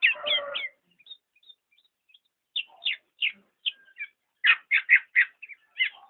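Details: Black-naped oriole opening with a rough burst, then a pause, then spaced sharp notes building into a quick row of loud chirps.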